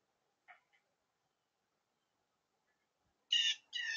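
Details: Noisy blue jay making a faint short note early on, then two loud raspy, buzzy calls in quick succession near the end, with silence between.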